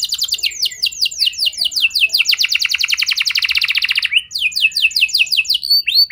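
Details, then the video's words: Canary song meant to set other canaries singing: quick falling whistles leading into a dense rolling trill, a short pause, then more crisp swooping notes repeated at a lively pace. "Pancingan Burung Kenari Biar Gacor Lagi! Cukup Sekali Putar Auto Gacor Panjang"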